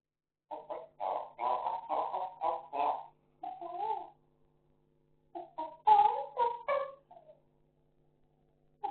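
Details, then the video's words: African grey parrot from Sukkur, Pakistan, talking in a rapid run of about a dozen speech-like syllables, rhythmic and chattering, then a short pause and a louder burst of varied, partly whistled words before trailing off; no other sounds. "African gray talking"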